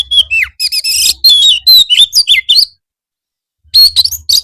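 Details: Oriental magpie-robin in continuous gacor song, an afternoon master song to prompt replies. Dense stream of bright whistles, downslurs and buzzy trills, a silent gap, then a loud burst of notes, with a low background hum.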